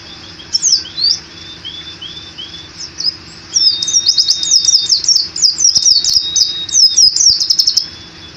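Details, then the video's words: Indonesian caged pleci white-eye singing open-beaked in ngalas ngeroll style. Rapid high twittering phrases build into a long rolling warble, over soft sustained lower whistled notes held for a second or more. "Pleci Gacor Ngalas Ngeroll (Zosterops)"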